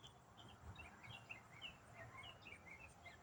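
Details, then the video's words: Single songbird singing in autumn, part of an uninterrupted complex song lasting minutes: faint, busy stream of quick twittering notes jumping up and down in pitch, with steady background hiss. "Autumn Songbird - What bird sings one complex riff for 8 minutes non-stop?"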